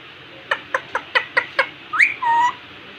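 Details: Indian ringneck parakeet talking in front of a mirror: six short clicky syllables at even spacing, then a rising whistled note and a longer flat two-toned nasal call.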